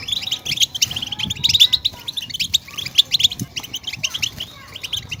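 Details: European goldfinch song played to stimulate caged goldfinches to sing: rapid, bright twittering with dense bursts of high chirps and short trills, pausing briefly, over soft low thumps.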